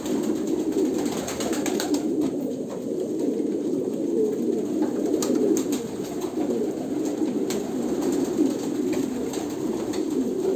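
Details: Kolkata pigeons cooing together, a dense, continuous chorus of low, overlapping coos with faint clicks and rustles above.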